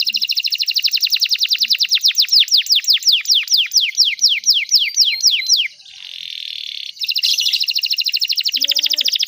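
A canary sings a long, fast rolling trill of rapid repeated notes, then sweeping whistled slurs, a brief buzzy pause and another dense trill.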